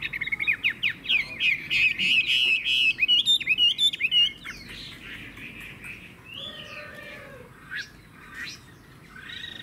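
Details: Caged Chinese hwamei offered for sale, praised for strong loud singing and a good voice; a rapid burst of loud, varied whistled and trilled phrases for about four seconds, then sparser, softer whistles and short chirps.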